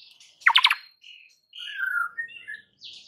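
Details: White-rumped shama song used to provoke rival birds into anger: a loud harsh burst followed by varied whistled phrases, short slurred notes and buzzy fragments over about three seconds, clean background.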